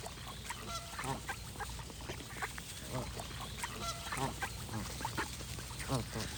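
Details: A dense chorus of geese, with many overlapping honks and chattering notes throughout and no clear pause, against steady background hiss.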